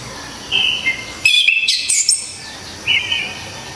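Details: Orange-headed thrush with a loud, piercing, clear song: a short whistled note, then a dense burst of rapid high twittering notes, then another brief whistled phrase.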